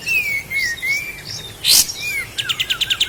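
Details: Sooty-headed bulbul from Lahat, recorded as training material for cage birds: long, smooth whistled slurs, one loud harsh burst, then a quick series of eight clipped chirps.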